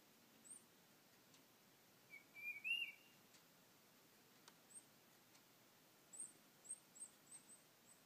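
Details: Tufted titmouse singing near a bird feeder, iPhone recording: a single clear whistled phrase with a rising slurred final note, plus a series of very high thin chips from another bird later on.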